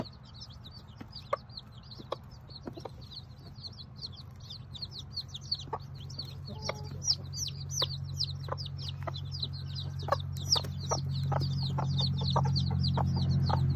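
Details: Ten newly hatched chicks with their tiny bantam Sebright mother on a hobby farm: steady high peeping, about three peeps a second, over soft low clucks and sharp taps. A low rumbling hum swells toward the end.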